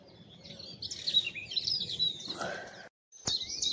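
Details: Eurasian Blackcap singing at about 7:45 on a hazy spring morning in blossoming woodland at East Tilbury: a rich, fast warble of high, varied fluty notes and twitters. It breaks off briefly, then resumes. A male and female may be present, with other birds singing nearby.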